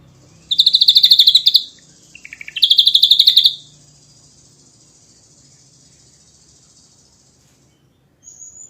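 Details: Ashy drongo in a training recording for songbirds, singing vigorously in dense 'nembak' bursts: two loud, harsh, rapidly pulsed high phrases of about a second each, joined by a short lower rasp, then near silence and a faint thin high note.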